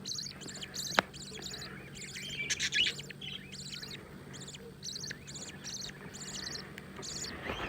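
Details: Newborn budgerigar chicks chirping: rapid series of short high buzzy chirps in repeated bursts, steady background hum throughout.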